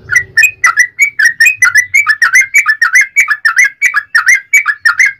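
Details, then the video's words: Sooty-headed bulbul in a fast 'ropel' song for provoking other bulbuls to sing: an unbroken series of ringing whistled notes, some rising and some dipping, roughly four a second, over a faint low hum. "trucukan ropel panjang TARUNG PANCINGAN TRUCUKAN agar bunyi"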